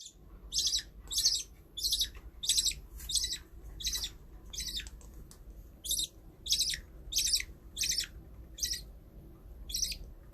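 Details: Pet budgerigars giving harsh, raspy chirps, about fourteen in ten seconds at a fairly even pace, each burst short and broad, over a steady low background hum.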